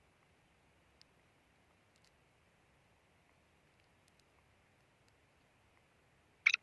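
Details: Near silence with a faint steady hiss, scattered soft clicks, and one sharp loud click just before the end; no animal voice is heard.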